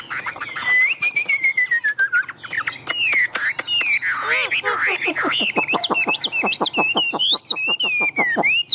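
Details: Tame caged Chinese hwamei, valued for contest singing, draws out a long slowly falling whistle, then breaks into rapid chattering notes and quick upswept whistles.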